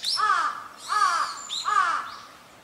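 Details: A Large-billed Crow in Hourai Park, Ota, Tokyo, gives three hoarse, nasal caws, each about half a second long and roughly three-quarters of a second apart, with faint higher sounds behind them.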